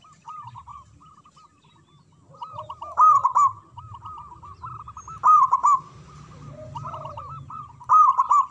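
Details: Loud-voiced local zebra dove singing: bursts of rapid, bubbling coos every two to three seconds over a steady background of softer, looping dove notes.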